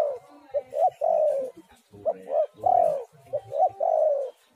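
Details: Spotted dove song meant to coax doves into singing: short paired coos lead into long, falling coos, with three phrases in quick succession.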